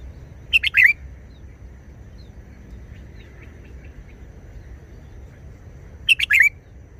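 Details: Red-whiskered bulbul singing a short song in wild-song style (phleng pa): two brief bursts of bright, warbled notes, about six seconds apart, over a quiet background with a faint low rumble.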